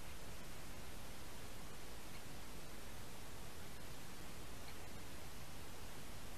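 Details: Steady, even hiss of static fills the whole recording, with no animal voice or other distinct sound.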